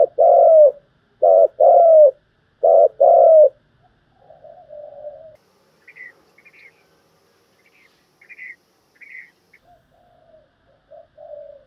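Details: Spotted dove, played to train decoy birds for trapping, giving rapid 'thúc gù' and calling coos: three loud, low, hollow coo phrases in the first four seconds, then softer fragments with faint higher chirps from other birds.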